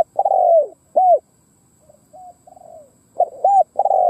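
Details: Spotted dove kept as a decoy to attract wild doves, cooing. A long hoarse descending coo and a short one are followed by faint gentle notes, then a fresh burst of rapid coos.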